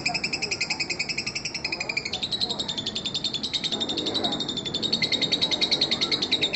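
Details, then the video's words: Fighter lovebird in extended ngekek laughing call, used to draw in baby lovebirds; grating notes repeat quickly and evenly, the tone stepping up a little after two seconds and growing louder toward the end. "Suara Pancingan Lovebird fighter ngekek panjang ampuh buat pancingan baby lovebird"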